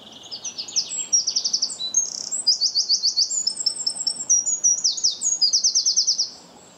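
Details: A Eurasian Wren, a very common shrub-nesting bird in the Netherlands, sings loud and long for about six seconds without pause, alternating high clear notes with fast, dry trills and rattles; the song is longer than a chaffinch's and lacks its end flourish.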